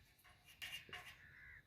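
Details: A talking pet crow in Palghar, India, gives two harsh, hoarse, voice-like bursts in quick succession, mimicking human speech, followed by a drawn-out, thinner tone. Faint background murmur underneath.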